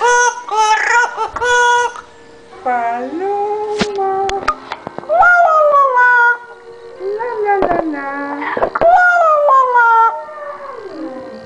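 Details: Talking parrot, described as a Central American bird, singing the song Cucurrucucú paloma indoors: a run of tonal, wavering sung notes with sliding pitch and harmonic overtones, broken by short clicks. People chat in Spanish before and after.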